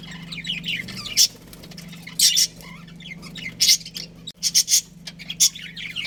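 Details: Pet budgerigars from a breeding pair giving soft warbling chirps broken by about six loud, harsh squawk bursts spaced around a second apart, with a constant low hum underneath.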